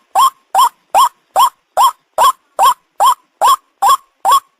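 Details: Repeated lure call of a white-breasted waterhen, used to attract birds for hunting: eleven loud, raspy, upward-bending notes in quick, even succession, roughly two and a half per second, on a clean, quiet background.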